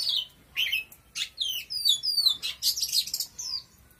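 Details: Oriental magpie-robin in full, powerful song: fast overlapping descending whistles and bright trilled bursts rolling almost continuously, ending on a single slurred note.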